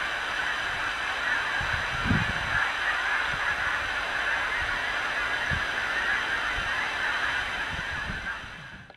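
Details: Many geese arriving to roost over a milo field on a February 2015 night; an unbroken mass of overlapping honks forms a steady roar, with a few nearer, louder honks around the two-second mark, fading at the end.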